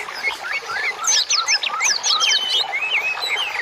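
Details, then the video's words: Birdsong masteran recording meant as therapy for cage birds: a dense mix of quick chirps and sharp upward and downward whistles from several birds, overlapping continuously at high pitch. "MASTERAN INI BUAT TERAPI BURUNG"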